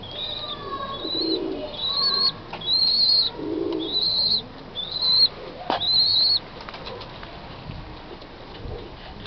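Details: Blind young Oriental roller (İzmir roller) pigeons give thin, high whistled peeps, each drawn out and slightly arched, about five in quick succession over soft rustling.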